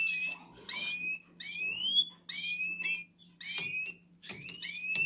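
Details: Canary during mating, male courting a female, gives bright, high slurred whistles, each note sweeping up or down, repeated roughly once a second, over a steady low electrical hum.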